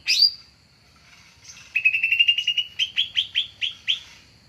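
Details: Green leafbird (cucak ijo), a lure call used to attract and trap birds. A sharp high note opens, then a series of ringing chirps comes first in a fast run and then more slowly, each note falling, against a quiet background.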